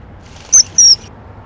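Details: A common kingfisher feeding its young gives two shrill, very high whistled notes, a short one then a longer one, about a quarter second apart, over a faint background hiss.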